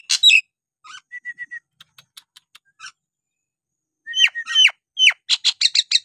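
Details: Nias hill myna singing, used as a trigger for idle birds to start singing again: sharp whistles, a short steady whistled note, scattered clicks, then a rapid series of loud, rasping upslurred notes.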